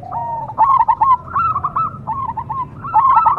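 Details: Zebra dove (perkutut cemani) song: a short burst of stuttering, hollow coos rolling into one another, slightly rising then level, in a quick run lasting about three seconds.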